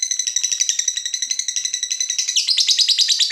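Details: Lovebird fighter excited at seeing a rival, delivering a dense, rapid, high-pitched chatter of pulsed notes that grows harsher and louder toward the end.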